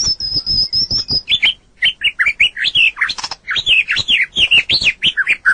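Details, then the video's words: White-rumped shama (murai batu) singing a training recording for other birds: opens with a high thin rapid trill, then quick bouncing whistled notes rising and falling, delivered in a steady stream of short phrases. "Masteran burung murai batu durasi panjang burung gacor owor owor"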